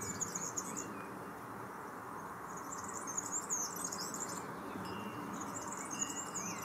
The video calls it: Serin singing - Girlitz am singen